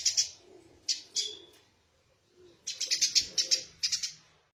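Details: Scattered high, scratchy chirps from a tame, vocal Eurasian tree sparrow, then a denser run of rapid chirps after a quiet gap.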